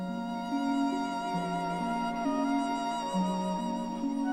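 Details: Slow, sad violin and string music with sustained bowed notes shifting in pitch, and no animal voices.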